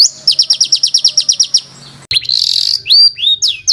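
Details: Tight rough roll of bird song for tutoring competition birds: about a dozen quick rhythmic chirps, then a harsh buzzy burst and loud swooping whistles.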